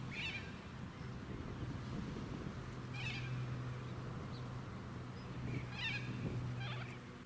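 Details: Harsh rasping screeches from a flock of little corellas in a Sunshine Coast suburban park, Queensland, October 2017, spaced a few seconds apart over a steady hum of motor vehicles.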